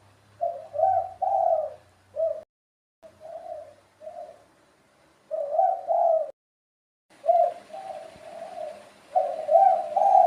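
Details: Spotted dove giving repeated soft cooing phrases of two to three low notes, pausing briefly between series, with faint background hiss.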